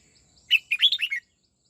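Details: Red-whiskered bulbul practising its '89 twisting' song: a sharp first note, a brief gap, then a rapid, liquid run of five or six looping whistles ending on a lower note; background otherwise quiet.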